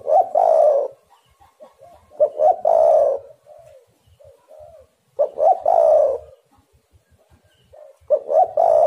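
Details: Spotted dove (tekukur) lure recording to make doves sing: loud hoarse phrases of quick notes, each ending in a long rough coo, about every two and a half seconds, with faint coos between them.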